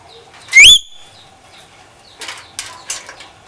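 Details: A bird gives one loud, sharp whistled note that sweeps upward and then drops, followed by a few faint, buzzy chirps later on.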